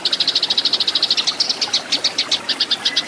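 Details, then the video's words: Eurasian tree sparrow fighting song, meant for training caged birds. About twenty sharp, high chirps come in three seconds, fast and evenly spaced at first, then slightly looser and uneven. "MASTERAN BURUNG GEREJA TARUNG"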